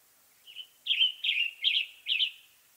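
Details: A Western tanager in western North America delivers a short string of five raspy, slurred phrases, a faint one first and then four louder ones evenly spaced, over light background hiss.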